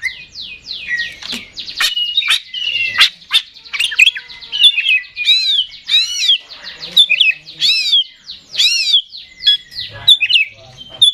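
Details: Contest-kept Oriental magpie-robin in nonstop 'gacor ngeplay' singing: dense, varied whistles, twanging slurs and sharp clicks pouring out rapidly with hardly a pause, high and bright throughout.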